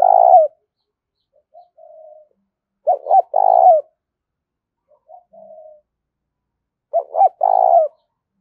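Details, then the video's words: Lure call of a Spotted dove aimed at wild doves: three repeated phrases about four seconds apart, each two short coos and a long one, with quieter coos in the gaps. "Tiếng chim cu gáy gọi và thúc bổi"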